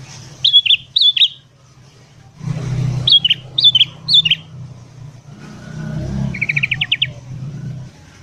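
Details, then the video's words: Morning song of a sooty-headed bulbul, used for luring wild birds: short, rising-and-falling whistled phrases in small groups, a brief rapid ticking trill near the end, with passing traffic rumbling beneath. "BURUNG KUTILANG GACOR DI PAGI HARI"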